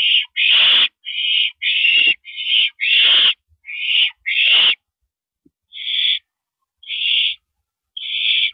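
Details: Owl screeching at a mouse delivery, 9:17 PM, April 13 2012: a fast burst of eight harsh rasps in under five seconds, then three quieter, spaced hisses.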